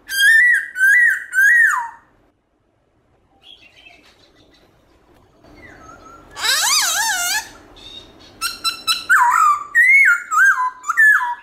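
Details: Black-throated laughingthrush giving a morning forest-style song with switching voices. Clear arched whistles open the clip, a pause follows, then a harsh, rasping burst and a renewed run of varied, slurred whistled phrases.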